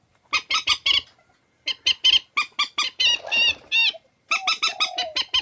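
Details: Swamphen lure calls: rapid series of harsh, squawking, nasal notes, a rougher grating burst in the middle, then more clipped honks ending with a lower, drawn-out cluck.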